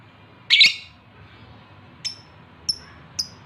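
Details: Male lovebird in breeding condition calling a female: one harsh, buzzy squawk, then three thin, high, clipped chirps spaced about half a second apart.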